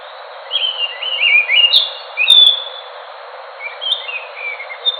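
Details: Song of an Enggano thrush: a run of rising and falling whistles in the first two and a half seconds, then a softer pause and a second, quieter warbled phrase; faint ticking sounds in the background.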